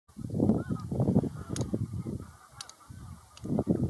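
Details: Greylag geese giving low, harsh honks in clustered bursts, several overlapping, with brief quieter gaps between groups of calls.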